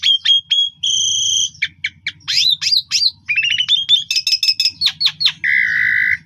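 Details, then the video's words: Asian pied starling in full afternoon song, used as a training lure for young birds: sharp ticks, sustained nasal whistles, tumbling clicky rattles and bright upslurred notes, ending on a long buzzy tone over faint low hum. "Istimewa Pancingan Sore Jalak Suren Gacor Mompa Full Isian"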